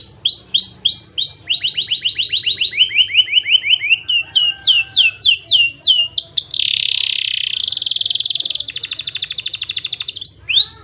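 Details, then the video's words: Crested canary singing a varied, loud song: fast series of repeated downslurred whistles, buzzy rolling trills, a sustained harsh rattle, and rapid clicking trills, phrases shifting pitch every second or two. "KENARI JAMBUL LOPER CENGKOK GURIH"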